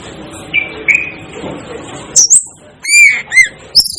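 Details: Asian glossy starling giving scattered calls: soft whistled notes, then sharp high metallic chirps and ringing whistles in short bursts, separated by brief quiet gaps.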